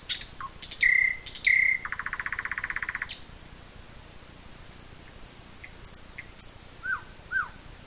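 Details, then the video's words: Eurasian jay recorded in the Wittlicher Tal in 2018, giving scattered short notes, two clear whistles and a buzzy pulsed rattle lasting about a second, followed by thin high notes and falling slurred whistles. "Eichelhäher 3"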